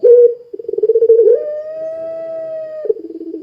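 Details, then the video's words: Puter pelung dove used to trigger other doves to call delivers a short coo, a throbbing pulsed stretch, then a long higher sustained note ending in low murmuring. "Suara Burung Puter Pelung Gacor Sangat Ampuh Menjadikan Puter Lain Ikut Bunyi"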